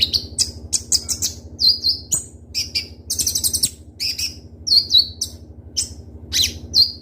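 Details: Kolibri ninja sunbird, kept as a lure bird, singing in full voice with sharp, crystal-clear rapid bursts: short high chirps and thin downslurred whistles in quick clusters, with a steady low hum underneath.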